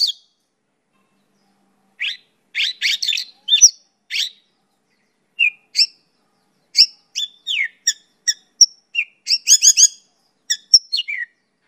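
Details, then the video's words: Mongolian lark song used as a master and lure recording: spaced chips and harsh chattering notes gradually quickening into a varied mix of whistles, slurs and mimicry-like phrases. "Suara Burung Pakling (mongolian lark) untuk Masteran dan Pancingan"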